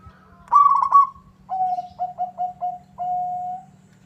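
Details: Zebra dove of local stock, singing vigorously in reply to a rival: a bubbly trilled phrase, then a lower string of four clipped coos and a final sustained coo.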